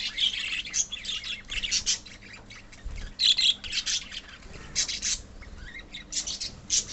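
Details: Budgerigars in a colony of pet birds, many voices overlapping in dense, scratchy high chirps and squawks that come in bursts with short pauses.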